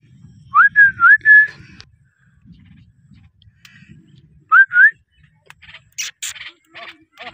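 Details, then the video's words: Pet parrot whistling: a quick string of four pure rising-and-falling whistled notes, a pause, then two more similar whistles, followed by soft scratchy noises and a low background rumble. "Parrot voice cute mithu video"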